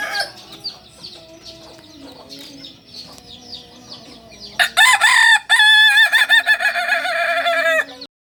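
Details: Native Solok singing rooster of the Kokok Balenggek breed: soft stepped notes and high chirps, then a loud crow opens with sharp bursts and holds a long wavering multi-step tone for about three seconds before stopping abruptly.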